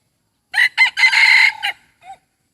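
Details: Rooster praised for crowing well, recorded close: two short staccato notes, a long harsh sustained cry, then a brief clipped ending and a faint soft afterthought note.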